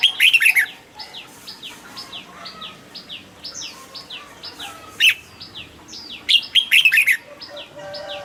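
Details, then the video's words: Red-whiskered bulbul in a cage gives a lively warbled phrase at the start and two more later, separated by a constant backdrop of high, thin descending whistles repeated rapidly. "นกปรอดหัวจุก นกปรอดหัวจุก เสียงนกกรงหัวจุก"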